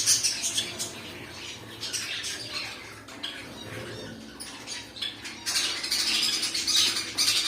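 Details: Pet cockatiels kept at home, several birds giving harsh, noisy squawks in bursts, some rapid and chattering, with a steady low hum beneath.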